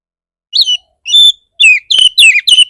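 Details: Oriental magpie-robin singing a provoking 'bar bar' lure for other kept magpie-robins: separate whistled notes at first, then a fast cluster of bright downslurred and upswept whistles toward the end.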